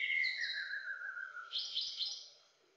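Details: White-browed shama from Greater Luzon, Philippines, singing a loud descending whistle followed by a burst of high, rich, warbled phrases that fade away.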